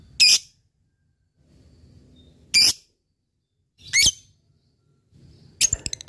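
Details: Fighter-type lovebird calling an opponent: four separate short, shrill, high squeaks spaced a couple of seconds apart, with quiet pauses between them.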